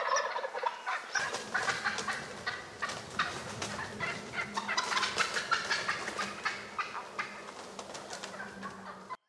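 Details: A group of wild turkeys gobbles nearly nonstop in early spring in Rhode Island. Overlapping rattling bursts repeat about three times a second over a steady low hum.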